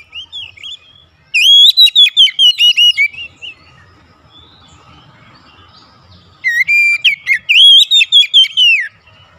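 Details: Oriental magpie-robin kept at home, in daily training, singing steadily: two loud bursts of rapid, ringing whistled notes, each about two seconds long, separated by a quiet pause with faint twitters.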